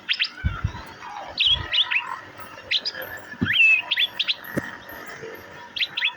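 Asian fairy-bluebird giving sharp, high chirps in short clusters, some ending in a brief liquid whistle, roughly every second; a few low knocks underneath.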